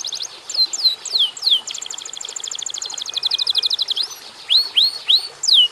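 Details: A canary mixes looping whistles with a rapid, even rattling trill, followed by several slow rising-and-falling whistled arcs, clear over faint background hiss.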